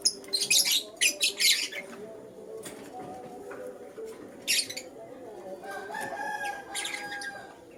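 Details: Lutino lovebird chirping in the morning: a fast run of shrill, scratchy chirps at the start, then isolated sharp calls and a short buzzy burst later, with a low steady hum underneath.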